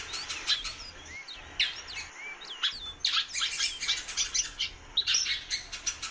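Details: Female Great-billed Seed-Finch calling a lot: short curved whistled notes rising and falling, scattered irregularly, mixed with dense sharp broadband clicks and chirps.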